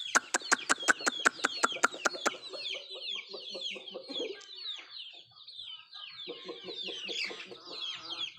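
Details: Native chickens pecking at food: a run of sharp, evenly spaced tapping knocks, then a stream of high peeping chirps with softer clucking notes underneath.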